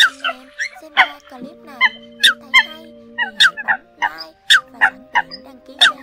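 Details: Trapping lure of Eurasian coot voices, made for the end of the season: loud clipped nasal notes repeated roughly every half second, with sustained tonal hum running underneath.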